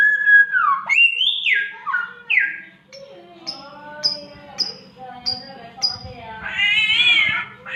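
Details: Samyong mimicking odd sounds, including a cat's mating call: varied whistled slurs and rising notes, then a run of short sharp high whistles roughly every half second, ending in a harsh wavering cat-like wail; low hum underneath.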